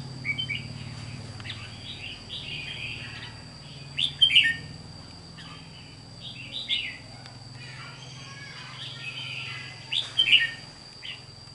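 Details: Chào mào mộc, a red-whiskered bulbul, gives brief liquid, chirping phrases at intervals of a few seconds, with loud sharp clusters near the start and end, against a constant thin high tone and a soft low hum.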